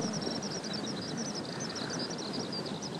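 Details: A single Kentish plover chick on the west beach of Kasai Rinkai Park, Tokyo, on 16 July 2014, gives a quick stream of thin, high peeps, several a second, over a steady rumble of distant traffic.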